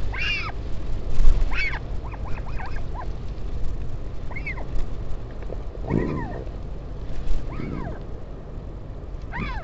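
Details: Northern royal albatross colony at Taiaroa Head, Dunedin, New Zealand, filmed on 16 July 2019 as a parent visits its chick. Scattered short arched whines and a few rougher lower bursts are irregularly spaced, with heavy low wind noise and bumps.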